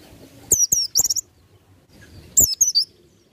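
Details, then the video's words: Two short bursts of shrill, rapidly slurred chirps from an Oriental white-eye in the ngalas nembak style, meant for tutoring other birds, separated by about a second of quiet. "PLECI NGALAS NEMBAK Untuk Masteran"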